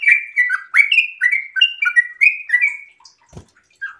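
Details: Chattering ropel song from a sooty-headed bulbul in breeding condition: quick bursts of warbled, down-slurred notes for about three seconds, then a short pause with a faint low knock before the phrases resume.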